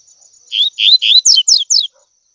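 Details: Double-collared seedeater singing the tui tui song, a recording meant for teaching young birds to sing. Three rising, slurred whistles are followed by three quick, sharp down-slurred notes in one clean phrase of about a second and a half.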